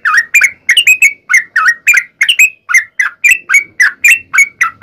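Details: Sooty-headed bulbul delivering a loud, fighting-style song with long rapid phrases, played to goad other bulbuls into singing back. Clear whistled chirps, often paired, follow one another steadily at about three per second.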